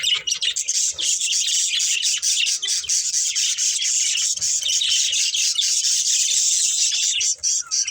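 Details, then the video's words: A steady wall of high, rasping budgerigar chatter from pet birds at play and feeding, continuous and scratchy with barely any pauses. "Cute Budgies Chirping Sounds"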